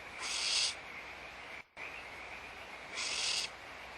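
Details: Barn owl nest at Audubon Starr Ranch Sanctuary during feeding, recorded March 2011; two breathy, wide-band screeching hisses about three seconds apart, a brief dropout of sound between them, and steady background hum.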